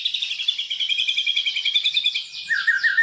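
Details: White-rumped shama lure song for provoking other shamas: a long rapid rattling trill of evenly repeated notes, then a sharp downward whistled slur.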